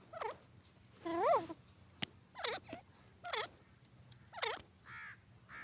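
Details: Grey francolin, known locally as teetar, calling with harsh, sweeping, overtone-rich notes at irregular intervals, with a sharp click partway through and softer flat notes near the end.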